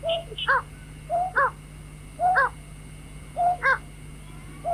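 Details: White-breasted waterhen calls for luring birds at night: a lower slurred note followed by a louder harmonic croak, repeated four times at intervals of about a second, with a constant low hum.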